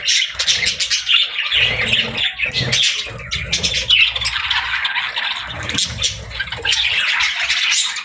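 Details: Parakeets at play fill the air with overlapping chirps, trills and harsh squawks, a busy high chatter running throughout, with faint low thumps underneath.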